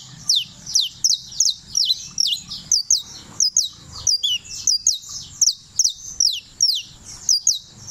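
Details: High-pitched, clipped, downward sweeping notes from a champion canario criollo of Turbo, Antioquia, repeated rapidly and evenly for the whole stretch, occasionally doubled, over a quiet low hum.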